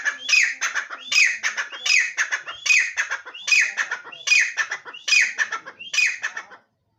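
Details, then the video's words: Partridge repeating a strident, raspy phrase about every eight-tenths of a second, seven times in a row, then falling silent. "Titar Voice|بگڙو تتر|تتر جي ٻولي|اچھی نسل کا تیتر|تیتر"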